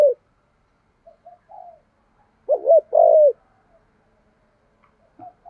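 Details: Spotted dove kept as a decoy to stir up wild birds, 'giọng thổ' voice: a few soft murmured coos, then one loud phrase of short doubled coos leading into a drawn-out falling coo.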